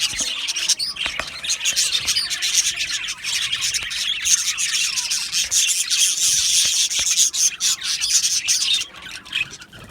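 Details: Aviary colony of Australian budgies chattering and chirping at once, forming a steady high-pitched wash of warbles, clicks and chirps that swells midway and thins toward the end.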